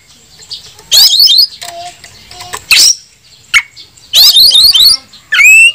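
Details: Oriental magpie-robin song used to provoke rival males into fanning their tails and singing, calling an opponent to fight: separate loud bursts of harsh, buzzy rising notes and chatter, with a clear whistle near the end.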